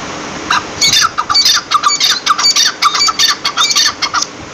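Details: Partridge calling in a rapid, uneven run of harsh, scratchy squawks, roughly two notes a second, with high rasping overtones, over a faint steady background hiss.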